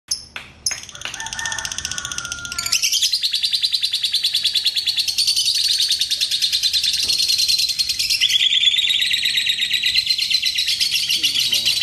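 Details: Lure recording to set off a lovebird's long chatter: a lovebird gives a few sharp chirps, then a long, fast, shrill chattering trill, high-pitched and rapidly pulsed, running unbroken for about nine seconds.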